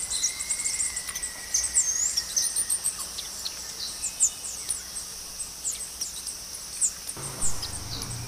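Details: Opal-crowned tanager (Tangara callophrys), song.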